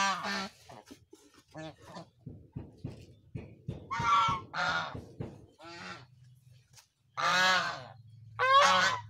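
A goose gives about six loud, harsh, nasal honks spaced irregularly over several seconds, with soft low clucking and chattering between them.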